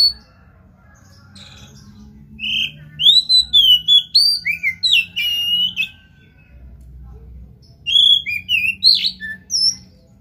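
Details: Oriental magpie-robin song used as a prompt for silent birds: two bursts of rich, varied whistling, with sliding, warbled and chattering notes, separated by a few quiet seconds and a soft background hum.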